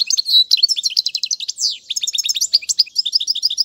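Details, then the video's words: Goldfinch song meant for tutoring young birds, from a set naming casta casta and tiwawati qalubi styles: continuous sweet twittering with tinkling trills and a couple of buzzy, drawn-out notes, clean with no other sounds. "أفضل تغريد الحسون"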